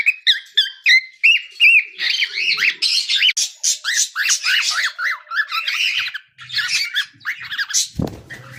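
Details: Cockatiel chick kept as a pet, singing: clear whistled chirps at first, then a long dense stream of squawky, scratchy arched notes in quick succession, ending with a sharp knock or bump.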